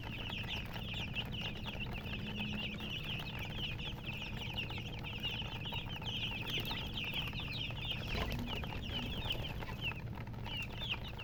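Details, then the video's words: Several domestic chicks with a hen give constant high, thin peeping chirps that overlap densely throughout, each a short downward-slurred note. A low background hum runs underneath. "silly chicken chirping sounds"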